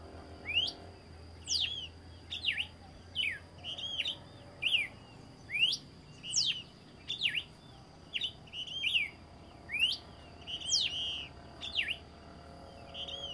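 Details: Red-cowled cardinal singing at dawn: clear, slurred whistled phrases, mostly rising and falling sweeps, repeated about once a second with brief pauses; a faint steady hum underneath.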